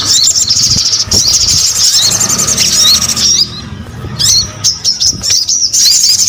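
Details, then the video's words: Sogon bird trilling steadily in thin, high twitters for several seconds, followed by scattered sharp chirps. "SUARA SOGON GACOR"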